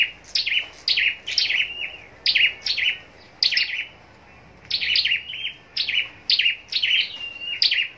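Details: Scarlet-backed flowerpecker kept in a cage for contest singing in Long Thành, Vietnam, repeating crisp, thin, downward-sliding high chips in bursts, one gap of near silence midway.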